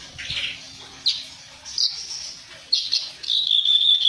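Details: Reed warbler training recording with harsh notes: scattered short chirps and scratchy high phrases separated by pauses, ending in a sustained buzzy, rasping note. Faint background hum.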